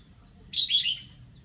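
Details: Practising red-whiskered bulbul: a single quick, liquid, warbling phrase that dips in pitch toward its end, heard against near silence with a low hum.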